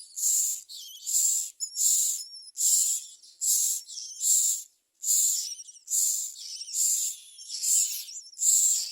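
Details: Common myna chicks in the nest, apparently screaming over inadequate food, give harsh, hissing screeches about once a second, each a broad rasping burst, in a steady insistent begging series.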